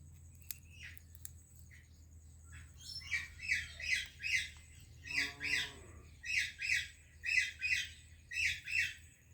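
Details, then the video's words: Talking parrots, one Indian and one Pakistani, greeting each other: harsh, buzzy paired squawks repeated about three times a second after a few scattered chirps, with one lower harmonic-rich voiced call in the middle; quiet indoor background. "Indian Parrot Greeting Pakistani Parrot | Funny Talking Parrot"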